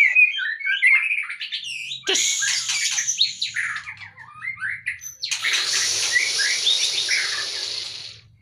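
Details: Caged white-rumped shama, lifted from its cage to slim down, mixes sweet high whistles with long stretches of loud scratchy, hissing chatter over a faint low hum.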